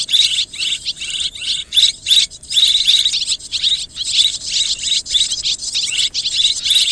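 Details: Swiftlets in a mixed chorus of calls: dense, buzzy, high twittering in bursts of roughly half a second, separated by short gaps, continuing steadily throughout with no other sounds.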